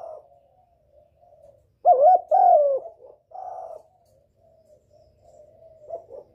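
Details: Spotted dove lure call aimed at a male, with a loud pair of rounded coos and a softer third coo, surrounded by faint, low cooing notes.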